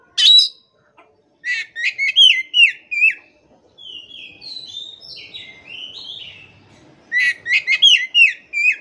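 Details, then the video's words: Oriental magpie-robin song meant to make a silent, stressed caged bird start singing: a sharp opening note, then a fast run of slurred whistles, softer wandering warbles in the middle, and another rapid burst of whistled notes. "KACER MACET TOTAL pasti akan PULIH dan NYAUT dengan dimasteri kacer ini"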